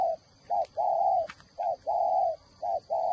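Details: Spotted dove decoy bird, whistle-voiced type, from Ba Vì, Hanoi, Vietnam. It gives a clean cooing rhythm of short note then long drawn coo, three times in quick succession, over a quiet background.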